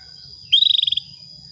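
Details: Breeding lure call of a female Atlantic canary summoning a male: one loud, high trill of about ten fast even pulses, half a second long, against a steady thin whine and soft low hum.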